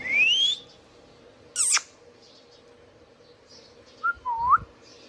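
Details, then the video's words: Household Indian ringneck parakeet with a rising whistle, a sharp high squawk descending in pitch, then a soft short note followed by a lower curving whistle and light tapping. "Indian Ringneck parrot natural sounds | Ringneck parakeets sounds video"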